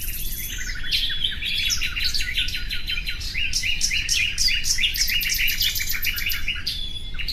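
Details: Common nightingale singing: a dense, continuous stream of chirps, rapid buzzy trills and sharp high notes, with quick repeated phrases throughout and a steady low background hiss.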